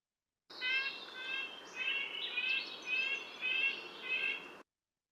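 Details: Red-breasted Nuthatch, a bark-clinging bird of Kentucky, giving a run of short, nasal, tinny toots like a tiny car horn going meep meep, about two per second, with faint background hiss.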